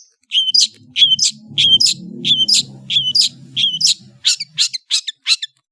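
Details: Long-tailed shrike singing a repeated phrase of a clear whistled note followed by a harsh high burst, given roughly every half second, then quicker scratchy chips, over a low murmuring background noise.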